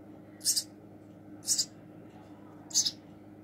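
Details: House sparrow nestling being hand-fed: three clean, harsh, high-pitched double squeaks about a second apart against a low indoor hum.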